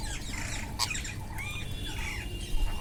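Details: Wild parrots feeding, with sharp squawks and chattering calls over a noisy low rumble.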